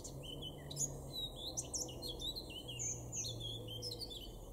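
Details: A male blackcap in a Weener garden, East Frisia, northwest Germany, in May 2022, delivers a lively warbling phrase of quick twittering notes. It rises into clear, fluting whistles over a faint low drone.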